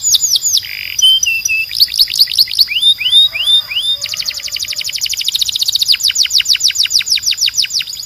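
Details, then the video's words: A canary sings loudly and clearly: varied whistled notes and a short low churr open the song, followed by quick down-slurred notes and a long rapid rolling trill. "Ultimate Canary Singing Compilation – Loud, Clear & Relaxing Sounds"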